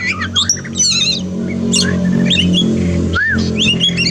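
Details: Oriental magpie-robin song in therapy for a post-moult bird that sings little: rippling high trills, squeaky chirps and one loud arched whistle, over a low humming background.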